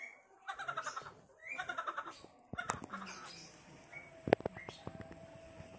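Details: Village chickens, a rooster and hens kept by local residents, foraging in a village garden; two bursts of harsh, harmonic, rapidly repeated clucking notes, then sharp clicks and scattered knocks against a steady background hiss.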